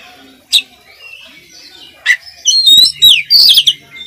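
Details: Oriental magpie-robin training-song excerpt: two isolated sharp notes, then a rapid tumbling phrase of high chirps and whistles near the end.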